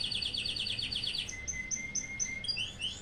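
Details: Song of a yellow-fronted canary played to agitate rival birds: a fast run of repeated high chirps, then spaced, thin, upward-sliding whistles, over a steady low background hiss.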